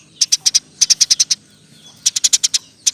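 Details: Roll-style chirping of a Eurasian tree sparrow, recorded to teach other songbirds: three tight bursts of four to seven sharp, high chirps, then a last isolated note.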